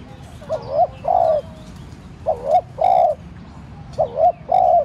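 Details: Spotted dove decoy cooing to draw calls from other doves: three regular two-part phrases, a rising wavering coo and a longer steady note, about every 1.7 seconds, with soft chirps behind.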